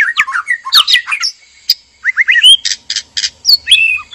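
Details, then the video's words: In a breeding cage, a male and female white-rumped shama call in mating excitement: jumbled chattering notes, a brief pause, then rising whistles and three buzzy rattles. "PANCINGAN BIRAHI KAWIN MURAI BATU JANTAN DAN MURAI BATU BETINA DIKANDANG PENANGKARAN"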